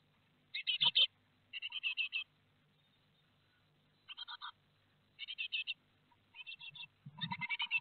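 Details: Great tit fledglings leaving the nest in Théding, France, 12 May 2021. Harsh, grating call bursts come in separate runs of three to five notes, spaced by short silences.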